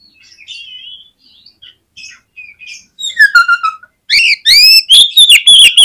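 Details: Oriental magpie-robin singing as a lure to rouse other magpie-robins: soft varied warbles and whistles, a descending trill, then loud rapid sweeping whistles to the end.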